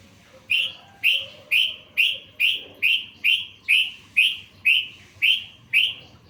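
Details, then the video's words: Yellow-vented bulbul master song packed with learned phrases for bird-song training: twelve evenly spaced, ringing, downslurred whistles, roughly two per second, steady and loud against a faint low hum. "Masteran trucukan full isian"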